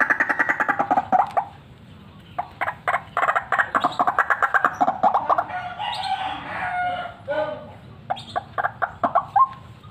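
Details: Fighter white-breasted waterhen lure call: harsh repeated croaks in quick bursts, a brief rougher grating phrase mid-way, then sharp clipped notes resuming before ending in a short falling note.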